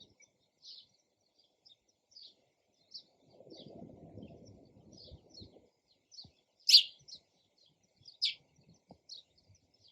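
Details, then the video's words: Sparrow giving short high chirps roughly every half second, with two louder, sharper chirps near the end and a soft rustling noise in the middle. "SOUND OF SPARROW RELAXING CHIRPING SOUND"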